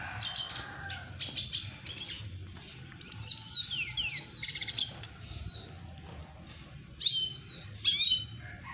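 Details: Red siskin of the double dilute colour form courting a female: scattered high twittering chirps and descending slurred notes, then two sharp rising-falling whistles near the end, over a low background hum.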